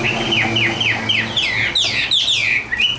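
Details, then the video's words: Caged hwamei, tame and hand-carried, a bird kept for song contests. It gives a run of about six downward-slurred whistles roughly every quarter second, then larger looping high sweeps, over a faint low steady hum. "Họa mi số 1129 Chim thuần sách tay hót cao cầu đấu tốt"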